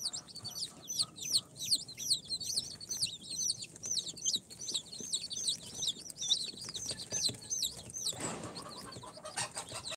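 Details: Chorus of four-day-old chicks from an incubator, Sultan, Golden Sebright, Cochin and booted breeds, pouring out shrill arched peeps at roughly two to three per second. A soft thump comes near the end.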